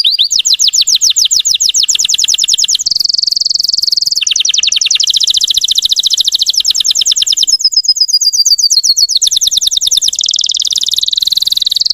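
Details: Russian canary song used as a lure to rouse other canaries: fast high trills of repeated notes, switching abruptly between rapid rattling tours and steadier buzzy rolls, continuous for twelve seconds.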